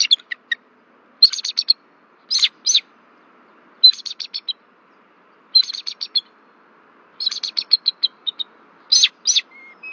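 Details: Nesting bald eagles at Berry College in Rome, Georgia, alarmed by an intruder passing over the nest tree on 1 February 2024: repeated high, rapid chittering series of short notes, about one burst every one to two seconds.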